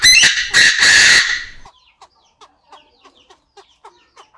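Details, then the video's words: Chinese francolins in an aviary, a male crowing and a female answering. A loud, raspy, two-part crow opens, and faint short peeps follow at a steady pace. "Tiếng Chim Đa Đa Gáy, Đa Đa Mái Tục Trong Aviary Mới Nhất, The sound of the partridge crowing"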